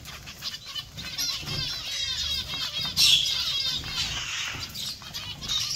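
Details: Zebra finch colony, many birds calling at once: a dense, continuous chatter of high, nasal chirps and short twittering notes overlapping throughout, with a louder sharp burst of calls near the middle.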